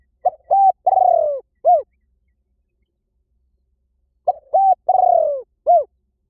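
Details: Two complete spotted dove phrases about four seconds apart, each made of short soft coos, a drawn-out burry falling coo and a final short note. Described as a decoy call that draws birds in fast in any forest.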